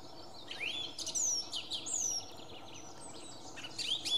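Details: Song thrush at Beijershamn, Sweden, 6 May 2017, sings a quick run of bright, varied whistles and sharp twittering notes, high-pitched, over a steady low background rumble.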